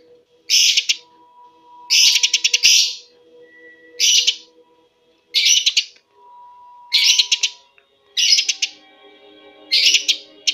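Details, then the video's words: Energetic Eurasian tree sparrow song, used to lure and tutor caged songbirds at home: dense clusters of sharp high chirps, roughly every one to two seconds, over a faint low tonal hum. "Burung gereja gacor speed rapat"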